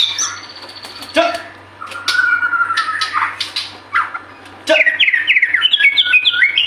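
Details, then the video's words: Vigorous White-rumped shama song meant to prompt other birds to sing: sharp clicks and a long steady whistle, then a quick jumble of warbled, stepped notes at the end. "Pancingan murai batu gacor 🔥 Burung auto bunyi"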